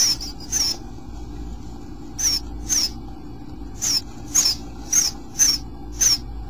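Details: High, thin, slightly downslurred notes from bluebirds at the nest on day 8, about ten in six seconds, irregularly spaced and sometimes paired, over a quiet low hum.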